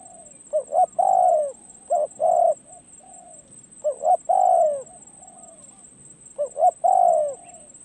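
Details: Decoy spotted dove on a training perch coos in spaced phrases: short hollow notes leading into a drawn-out, gently falling coo, repeated roughly every two to three seconds.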